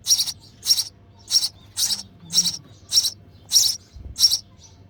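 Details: Baby sparrow in the nest chirping for its feeding mother; steady run of eight sharp, high, scratchy chirps, roughly one every half second, over faint low hum.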